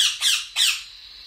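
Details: Hand-fed cockatiel chicks begging during feeding: three harsh, raspy squawks, each a short broadband burst, in a quiet small room.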